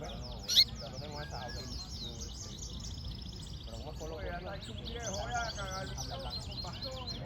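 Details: Yellow-fronted canary singing: rapid high chirps and repeated downslurred trills, with lower warbled notes and a steady background hum.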